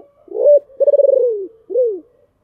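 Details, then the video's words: Decoy spotted dove with a deep voice calling to draw in wild doves: a rising first note, a long pulsing rolling coo sliding downward, and a final short falling coo, close and clear. "tiếng kêu của chim cu gáy âm thanh rất chuẩn để kích bổi/ Tiếng Chim Cu Mồi Gáy Gọi Ồm Ồm"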